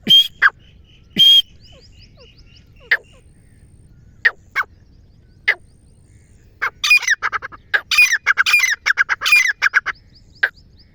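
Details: Calls of a female black francolin, used as a hunting call. Loud, sharp rasping shrieks and scattered single notes give way to a dense, rapid, grating chatter of repeated harsh syllables, then a final note.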